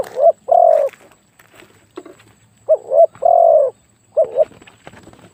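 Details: Big-voiced spotted dove for decoy luring giving three low coo phrases, each a quavering double note then a long steady coo, with faint rustling and clicks between.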